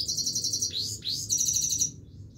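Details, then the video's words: Himalayan goldfinch singing continuously: high twittering trills and buzzy, rapidly repeated notes, with swooping rising slurs, over a low steady background hum. "himaleyan goldfinch singing continuesly"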